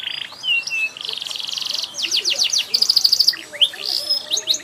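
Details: Canary in full varied song, high and continuous: a downslurred whistle, buzzy rapid trills, quick falling sweeps and a bright ringing trill of repeated notes, with short chirps to close.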